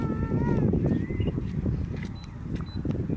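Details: Little Curlew at Poolland, the Netherlands, 27 December 2019, giving a clear whistled note, then a shorter rising whistle, over a heavy low rumble of traffic or wind.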